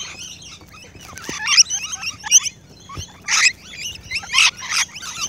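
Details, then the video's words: Close-up rainbow lorikeets feeding, with loud bursts of raspy, high screeching and twittering chatter coming in clusters every second or so, plus a few knocks. "Rainbow LORIKEETS CLOSE-UP FEEDING"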